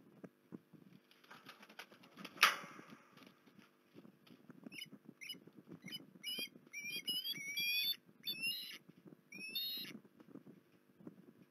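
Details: Osprey at Port Lincoln, 19 January 2021: faint, thin whistled chirps, some rising, given in short bursts over the second half, against soft rustling, crackling handling noise and a sharp tap.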